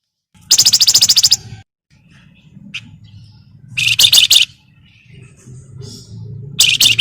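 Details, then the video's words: Javan myna, also called flamboyan, chattering actively as a lure to make other birds sing. Three harsh, rapidly pulsed buzzy bursts, each under a second, with a steady low hum between them. "BURUNG FLAMBOYAN GACOR CRECETAN BUAT PANCINGAN"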